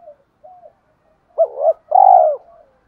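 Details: Lure recording of a spotted dove with a 'giọng thổ' voice, meant to make other doves coo fast: two short soft notes lead into a hooked coo and a long, loud, arched final coo.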